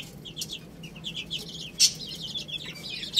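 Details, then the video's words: Chicks at rice give a steady stream of short high chirps, many birds calling at once, with a loud clatter near the middle and end. "Cute Little Chicks Eating Rice | Beautiful Chicks Chirping Sounds"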